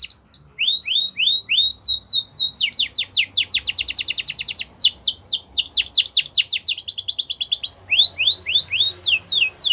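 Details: Yorkshire canary in full song, meant as training audio for canaries: repeated arched whistles, long bursts of fast descending sweeps, rattling trills and more rising phrases across ten seconds of continuous singing.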